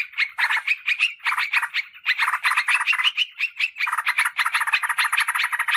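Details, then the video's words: Lure call of yellow-vented bulbul, played to draw wild birds in forest and garden and to tutor birds at home; busy, overlapping chattering phrases pouring out without pause, bright and throaty. "Suara PIKAT Trucukan PALING AMPUH"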